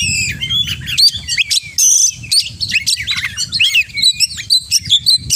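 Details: Oriental magpie-robin in 'gacor full isian' style: high piercing whistles and rapid chattering phrases in quick succession, including harsh buzzy bursts, with faint low background noise.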